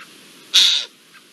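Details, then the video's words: Eurasian jay giving an alarm at the presence of an Iberian lynx, a wild scene where a blackbird also raises the alert, recorded 17 April 2024. A single harsh, rasping screech about a third of a second long over faint background. "El arrendajo y el mirlo alertan de la presencia de un lince"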